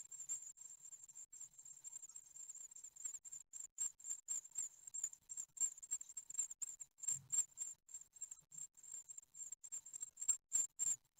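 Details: Great tit chicks at a nest in Ostwald, nine days old, on 15 June 2020, beg as they are fed. A steady stream of piercing high-pitched peeps repeats about four times a second over a quiet background.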